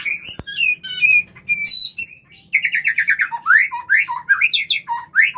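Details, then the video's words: White-rumped shama singing a mating lure song: a run of high whistled and chirping notes, then a rapid series of rising slurred whistles repeated several times a second, with a faint low hum underneath. "MURAI KAWIN suara Jernih - yang ini MANJUR untuk PANCINGAN KAWIN"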